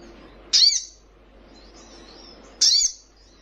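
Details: Young Brown-throated Sunbird giving two sharp, high, descending chip notes about two seconds apart, with faint thin twitters between them.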